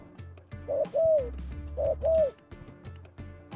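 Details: Spotted dove used as a lure bird (terkukur pikat): two paired coo phrases, each a brief hoot followed by a drawn-out, slightly falling coo, then quiet with a faint low hum and clicks.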